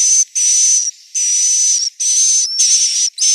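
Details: Swiftlet roosting sound from Central Sulawesi: long, loud, hissing buzzes with a fine high whistled tone running through them, broken by short silent gaps.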